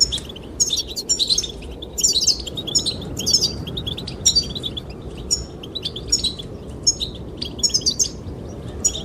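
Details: Male-display singing of goldfinches aimed at a female: clusters of sharp, high tweets and jingling notes every second or so, set against wind noise.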